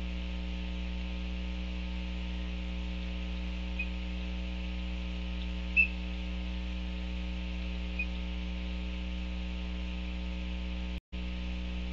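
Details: A steady low electrical hum throughout, with a few faint brief ticks and a short dropout near the end; no animal calls.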